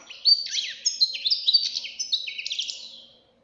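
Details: Fledgling European goldfinch delivering a rapid, continuous twitter of bright liquid notes and short buzzy slurs, rhythmic and dense, ending cleanly in silence.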